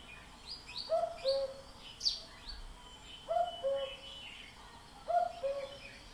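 A common cuckoo gives its falling two-note 'cu-ckoo' three times, about every two seconds, over high chirps from other small birds.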